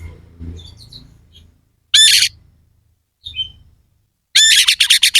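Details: Oriental magpie-robin singing harsh fill phrases to rile other contest birds: two loud, grating, broadband bursts separated by near silence, the second breaking into several rapid rasping strokes, with soft faint notes between.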